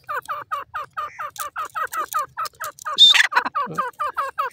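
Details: Caged grey francolin uttering rhythmic soft clucks, roughly three per second, interrupted by one loud grating burst that opens with a high whistled note.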